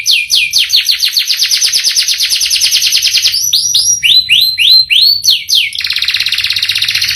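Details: Canary song with long rolls and a rich repertoire: a fast, dense high trill, then a string of separate upswept whistled notes, ending in a tight buzzy roll.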